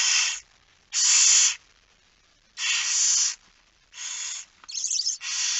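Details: Nighttime feeding at a barn owl nest, 10 September 2019, 22:45. Five or six short, hoarse hisses come in uneven succession, the last ones broken and stuttering.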